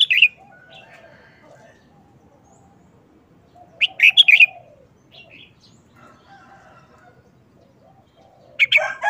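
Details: Cage-kept red-whiskered bulbul delivering brief, fast wild-style song phrases: clusters of sharp bright whistled notes roughly every four seconds, with soft lower murmuring sounds in the quiet gaps between.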